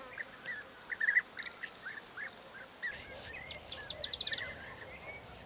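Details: Corn bunting, 4 June 2022, singing a loud song of quickening ticks merging into a bright, tinkling trill, followed by a second, fainter song in the same pattern, over a backdrop of lower chirping birds.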